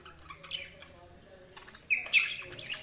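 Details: Budgies chirping: quiet scattered twitters, then two sharp, harsh, buzzy squawks in quick succession near the end, followed by a softer trailing chirp.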